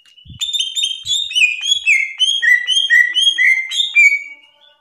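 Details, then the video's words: Cucak ijo (greater green leafbird) in ngeplong gacor song for training young birds: a flowing series of slurred, descending whistles in quick succession, each phrase dropping in pitch, rich and continuous. "SUARA CUCAK IJO NGRPLONG GACOR||COCOK BUAT MASTERAN IJO BAHAN||TERAPI CUCAK IJO"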